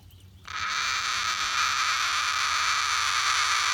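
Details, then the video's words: Relaxing captive cockatoo launches into a sustained raspy screech that starts abruptly after a brief quiet moment and carries on unbroken for over three seconds. "Cockatoo makes interesting sound while relaxing"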